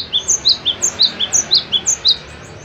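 Cinereous Tit giving a quick run of sharp, high chirps, alternating higher and lower notes about five times a second, against a quiet background.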